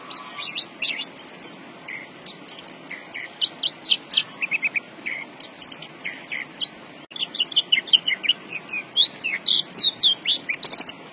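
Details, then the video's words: Javan bush lark in full, persistent song: a fast, varied stream of high whistled slurs, sharp chirps and rattling buzzy bursts, with barely a pause across eleven seconds. "BURUNG BRANJANGAN GACOR BOSSKU"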